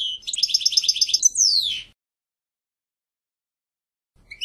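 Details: European goldfinch song: a rapid series of repeated high, tinkling notes followed by a single long, descending buzzy slur, then silence.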